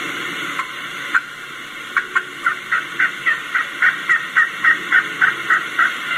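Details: A wild turkey hen gives a soft walking yelp, a rolling run of about fifteen quick, even yelps under her breath, roughly three a second, as she moves from one place to another, over faint background hiss.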